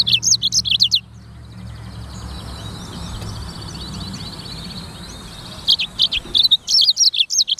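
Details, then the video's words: Black-throated canary, known locally as sanger, singing in clear bursts of high, rapid twittering and chirped notes, with a pause of quieter, lower warbling in the middle before the lively phrases return. "BURUNG FINCH EDEL SANGER / BLACKTHROAT Suara Gacor"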